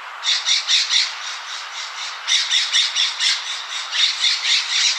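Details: Scrub jay at Knickerbocker Meadow, Big Bear Lake, California, July 2020, gives harsh, nasal, rasping calls in quick runs of seven or eight, two bursts with a pause, responding to other scrub jays, probably fighting over peanuts.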